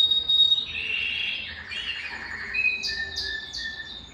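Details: Belgian canary song meant to warm up males and bring females into breeding condition; a rolling trill opens, then a steady whistled note and quick repeated upward-sweeping notes.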